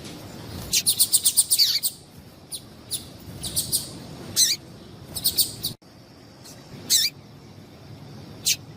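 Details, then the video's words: Female yellow-bellied seedeater call used to stir up males: a fast burst of high, bright, repeated notes, then scattered sharp chirps and short clusters, with brief gaps and low background noise. "Melhor Piado de Fêmea de Papa capim Para Esquentar Papa capim"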